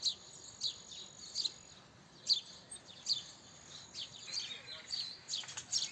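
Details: House sparrow giving sharp, bright single chirps at irregular intervals, roughly one every half second to second, with a few doubled notes and a fainter twittering bird in the background.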